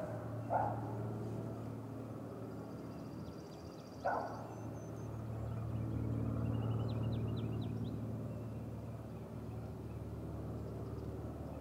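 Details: Great grey owl at its nest on a nest camera, 30 June 2018, early afternoon: two short, harsh, hoarse calls about three and a half seconds apart, over a steady low rumble, with thin twittering from small songbirds.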